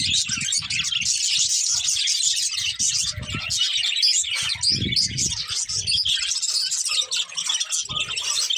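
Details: Colourful breeding-pair budgerigars warble and chirp without a break, a thick high chatter layered over repeated dull low bumps and rustling.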